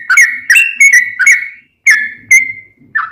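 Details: Lure song of a sooty-headed bulbul, meant to prompt other bulbuls to reply: loud whistled phrases with abrupt attacks, a short run, a pause, then two more notes and a final lower one.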